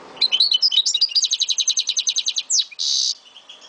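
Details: Pet Algerian goldfinch from Souk Ahras, Algeria, delivering a rapid string of about fifteen evenly spaced, high tinkling notes that ends in a sweeping note and a drawn-out buzzy rasp.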